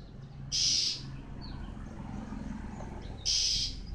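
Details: Male white-eye during the moult, two loud, high, hissing-buzzy bursts nearly three seconds apart against a low droning background.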